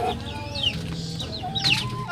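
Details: Free-range Sasso chickens on a provincial farm in the Philippines cluck and squawk in short, overlapping bursts, with a couple of higher squeals and a steady low background hum.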